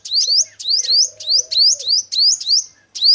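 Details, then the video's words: Male five-coloured sunbird calling to serve as a lure for trapping: fast, sharp high chips rising in pitch, run closely together, over a faint low hum. "Tiếng chim Hút Mật 5 màu trống chuẩn đi bẫy"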